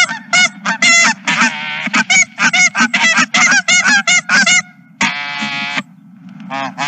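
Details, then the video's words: A flock of geese at a ranch, 31 March 2023, erupting in dense overlapping honks, a chaotic burst of nasal calls that briefly pauses and then resumes, over low steady rumble. "Geese and more Geese"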